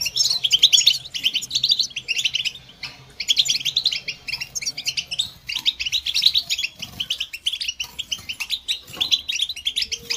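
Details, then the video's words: Long stretch of goldfinch song: continuous rapid twittering and jingling high notes in phrases lasting a second or two, broken by brief gaps, with a steady low hum behind. "The finest goldfinch chirps and songs for listening and training birds"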